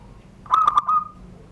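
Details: Zebra dove, a privately kept bird from Serang, Banten, Indonesia, singing the classic crystal-toned 'surung gdor' cooing style beneath a door: three quick bubbling notes, then one longer level coo, over a faint low hum.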